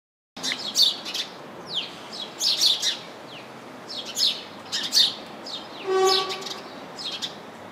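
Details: A house sparrow (Passer domesticus) chirping in a bush full of house sparrows gives short, bright chirps in loose clusters about once a second, with a brief low honk-like tone near the end.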